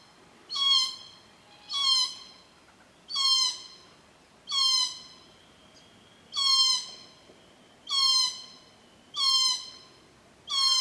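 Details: At a Casuarina feeding ground on a Cootharaba property, glossy black cockatoos give a steady series of harsh, creaky, downslurred calls, about one every 1.3 seconds, eight in all, loud and clear over a quiet background.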